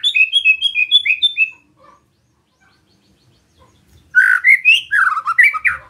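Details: White-rumped shama song for goading other shamas: a tidy run of repeated clear whistles, a near-silent gap, then a louder burst of rich slurred and rising notes.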